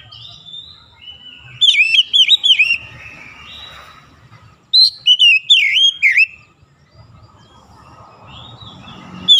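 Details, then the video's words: Oriental magpie-robin singing in morning sunlight. Two bursts of loud, looping whistled notes with sharp up-and-down slurs. The bursts are separated by quiet gaps with faint low background rumble. "SINAR MATAHARI PAGI SANGAT AMPUH MEMBUAT KACER LEBIH GACOR"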